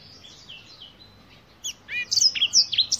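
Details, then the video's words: Black-throated canary gives a short, bright flurry of high, sharp chirps and slurred whistled notes, starting faintly and ending in loud, quick, clipped phrases. "BlackThroat - Canary BlackThroat Sound"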